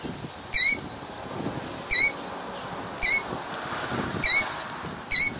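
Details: Jackson, New Jersey, 2008: a female killdeer defending her eggs gives five sharp, high, downslurred cries about every 1.2 seconds over a soft hiss of background noise.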